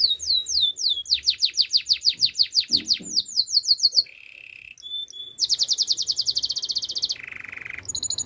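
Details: Canary training song with varied tours: swept downslurred notes repeated about four per second, rapid high trills, a low buzzy rolled section and sharp whistled notes, clearly dominant over faint background hum.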